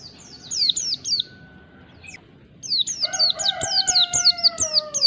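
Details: Mountain white-eye giving fast ngalas-style song: quick high down-slurred whistled notes at about two per second, a brief gap, then renewed rapid phrases overlapped by a lower, drawn-out harmonic call from another bird.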